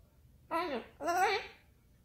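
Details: A male pet cockatoo babbles two quick, speech-like phrases, the second longer and rising then falling, with a rich, slightly hoarse voice in a quiet room.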